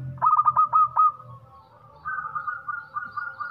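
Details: Local zebra dove singing with a big voice: one fast phrase of bouncing, clipped coos opens, followed by a softer wavering whistle-like tone and faint low rumbling.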